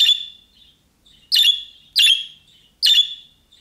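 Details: Budgerigar sounding young-bird-style calls that make other budgerigars respond. A drawn-out buzzy note opens the clip, then three sharp harsh chirps follow at about half-second spacing, with faint twittering between them.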